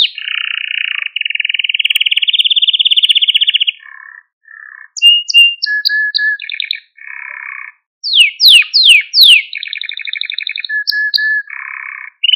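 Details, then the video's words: Malta canary singing, meant to excite and train canaries: a long, lower, buzzy rolling trill slowly rising, soft mellow notes, scattered whistles, steep downward sweeps, then more low rolls and buzzy phrases. "Süper Bir Malta Kanarya Sesi Ve Ötüşü | Kanarya Huylandırma ve Kızıştırma"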